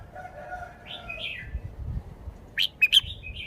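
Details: Song of a caged red-whiskered bulbul showing its phrasing: a soft, wavering whistled warble, then three loud, sharp, snapping notes in quick succession against low background noise.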